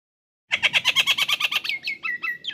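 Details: Nias hill myna singing actively, a training recording for songbirds: after a short silence, a rapid series of about fifteen loud, ringing downslurred notes, then several slower, clearer whistled notes.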